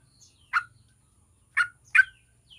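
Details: Yellow-vented bulbul song meant to prompt other bulbuls to start singing: three sharp, burry notes, the last two close together, with faint thin high notes and a soft low hum.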